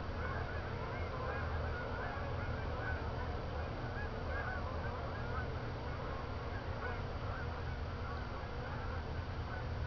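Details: Nighttime geese heading back to Jourdan Lake from a field at Lake Odessa, Michigan; a loose chorus of honks rides above constant low-frequency rumble.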